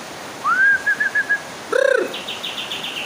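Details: Bird whose call is likened to AK47 gunfire: a clear whistled note slurring upward then breaking into short repeated notes, followed by a rapid burst of about ten harsh stuttering pulses like automatic fire, then quick high chirps.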